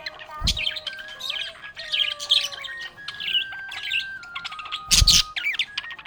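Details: Happy budgie chattering in bursts of high, scratchy twittering notes over a steady sustained tone that shifts pitch in steps. Two soft low thuds are heard.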